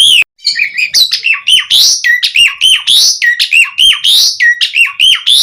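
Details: Energetic 'mompa' song of a Javan pied starling, meant to make other starlings sing: dense, unbroken phrases mixing clear dipping whistles with loud buzzy rising notes in quick succession.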